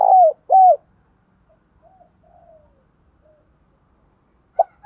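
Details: Spotted dove lure call meant to make wild doves respond: two strong, falling coos, a long quiet stretch with faint murmurs, then two more abrupt coos beginning at the close.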